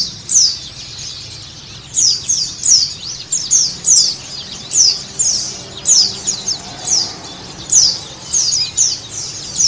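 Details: White-eye (pleci) song played as therapy so a caged bird sings quickly and opens its beak: thin, high, sharply down-slurred chirps in quick bursts, repeated every second or so, over faint background hiss.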